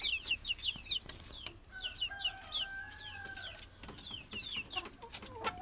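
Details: Plump chickens with chicks. Shrill, downward-sliding peeps repeat several times per second, over a low steady hum and some scattered clicking noises.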